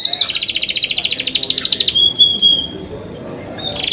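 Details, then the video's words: Cenkok-style canary song: a fast, evenly pulsed high trill for two seconds, then thin clean whistled notes, a short quiet gap, and the trill starting again at the end. "CENKOK CANARI SOUND"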